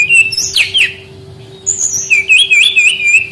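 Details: Brown-chested jungle flycatcher song used as a lure to coax young wild-caught birds that are reluctant to sing: a clear whistled phrase, then a wavering, rippling whistle with high slurred notes, over a steady low electrical hum.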